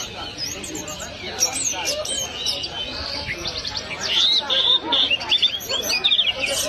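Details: Orange-headed thrush in lively, sustained song: busy high chirps and twitters, then clear whistled notes near the middle, with fast trills and rapid phrases repeating about 150 times a minute over a faint background murmur.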